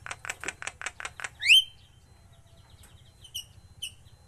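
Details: Javan myna being trained to sing more often: a run of seven harsh, evenly spaced rasping bursts, then a sharp rising whistle and scattered high clipped chirps over a low steady hum.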